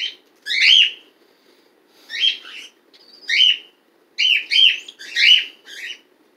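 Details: Household pet bird, one of a breeding pair with a chick hatched December 12th 2018, cats nearby; loud harsh chirps spaced out at first, then quickening into a rapid cluster.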